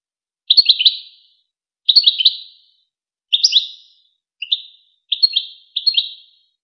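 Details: European goldfinch song motifs from a Wakr Touzgha training recording for young goldfinches and hybrids. Six brief, bright twittering phrases, each a quick cluster of high slurred chirps, come at irregular intervals against clean silence.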